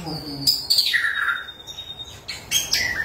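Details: White-rumped shama singing as a lure for other shamas: a high thin whistle, a downward slurred note, a long level high tone, then sharp clipped notes.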